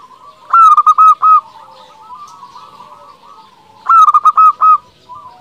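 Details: Lure song of a local zebra dove meant to stir rivals into replying, with two bursts of quick clipped coos, each four or five notes, separated by a soft low purring trill.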